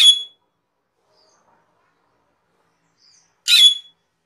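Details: Cucak keling recorded for training caged birds: two rough, strident bursts three seconds apart, each carrying a sharp whistled note, with near silence between them.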